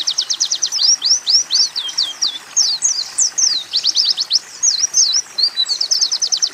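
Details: Oriental white-eye training song mixing canary and sunbird phrases: fast high trills of rapid repeated notes alternating with sweeping slurred whistles and chattered bursts, continuous and bright, no other sounds.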